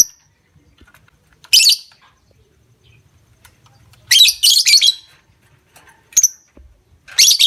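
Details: Lovebird lure for stimulating other lovebirds to sing long ngekek trills: several harsh, high, buzzy chattering bursts separated by quiet gaps, one cluster of three close together.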